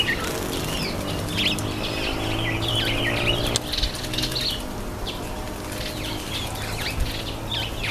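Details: Indian myna taking a bath, with quick fluttering splash-like bursts mixed with chattering chirps and short whistles, all set against a low steady hum.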